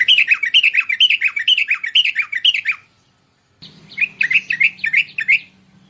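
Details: Bulbul (merbah) call meant to attract wild birds of its kind: fast series of warbling, slurred chirps, then a brief gap and a shorter run; faint low hum in the background.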